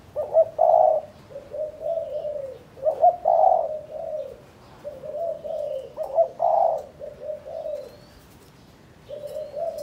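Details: Spotted dove from Cần Thơ, Vietnam, a trained decoy bird kept for hunting practice: repeated cooing phrases, each a sharp accented note followed by softer low, hollow coos, phrases recurring about every three seconds.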